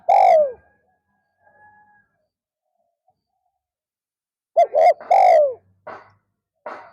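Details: Afternoon decoy spotted dove luring wild doves: the tail of one falling coo, then a complete two-hoot, long-coo phrase, followed by a couple of faint soft clicks.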